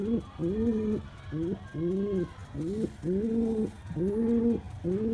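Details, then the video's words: Courting male pigeon calling a female with repeated throaty coos, each rising and then holding a steady pitch, delivered in a quick regular series, with faint background noise. "Male pigeon Calling Female Pigeon"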